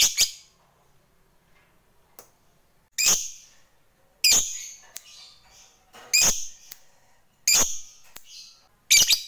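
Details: Lovebird used as a lure for other lovebirds: sharp, harsh shrill squawks in short bursts, spaced roughly one to two seconds apart with quiet gaps between.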